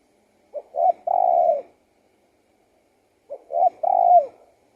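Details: Spotted dove song, two matching low phrases of three parts, a clipped first note, a short coo and a long steady hoot dipping at the end, separated by nearly two seconds of silence.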